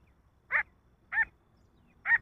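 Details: Male grey francolin giving three harsh, buzzy call notes spaced roughly three-quarters of a second apart, over low background rumble.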